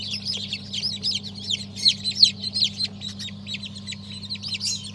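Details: Crowd of fresh chicken chicks, a new December 2022 hatch of breeds such as Sultan, Habeş and İspenç, peeping continuously; shrill, bent whistles about three per second overlap, over a constant low hum.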